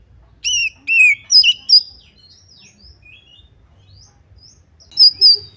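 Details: Oriental magpie-robin song used to provoke a rival to fight; four loud, downslurred whistles open the clip, followed by soft scattered twitters, then two more bright whistles at the close.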